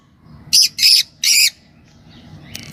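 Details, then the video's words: Two green Fischer's lovebirds give three short, harsh, high squawking chirps in quick succession, followed by quiet with faint background noise. "Lovebird Talking & Chirping Sound – Green Fisher Pair"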